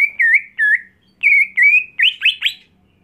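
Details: Captive greater green leafbird, home-kept and groomed for contest singing. Loud whistled phrases that dip and rise, a pause, then more level whistles breaking into quick rising and falling slurs.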